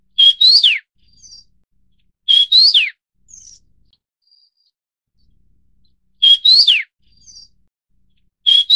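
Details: Vinous-throated parrotbill of the Taiwan endemic subspecies bulomachus: a loud whistled phrase repeated irregularly four times, with a steady note, a short rising slur and a sharp downward sweep. Faint thin notes fall between the phrases on an otherwise quiet background.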